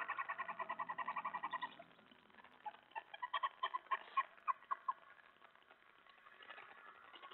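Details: Owl at a nighttime feeding with mouse delivery, 2:07 AM on July 25, 2017; fast raspy notes at first, then quieter, scattered notes that fade into low background rustling.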